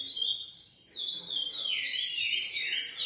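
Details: Lesser seed finch from a GP x Coimbra cross, bred in captivity, giving a short flowing whistled phrase that holds high then slides lower with warbling bends.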